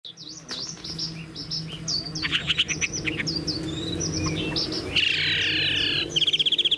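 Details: Tame caged Chinese hwamei, a spread-tailed bird that also shows an eagle-like wing display, sings high varied whistled notes and slurs, ending in fast buzzy trilled bursts over low background rumble.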